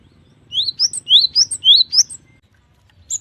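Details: Cinereous tit delivering a fast series of about seven bright, high, rising-then-falling whistled notes in under two seconds, then a single isolated note after a short pause.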